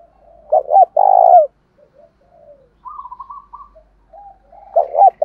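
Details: Lure spotted dove with a thổ pha voice gives a double hoot and a long rolling coo. A thinner trilled coo from another dove follows, then the main bird begins its phrase again.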